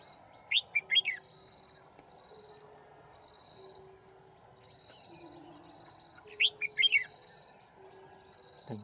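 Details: A caged decoy red-whiskered bulbul sings while wild birds are being trapped at Kim Bôi on 9 February 2019. It delivers two quick bursts of sharp, warbling notes about six seconds apart. A steady high whine sits over quiet background hum.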